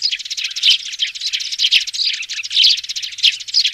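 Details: Nestling sparrows in a 'tiếng xuống' (descending call) recording used through a speaker for trapping: rapid, jostling high twitters piled together, with brighter chirp bursts standing out about once a second.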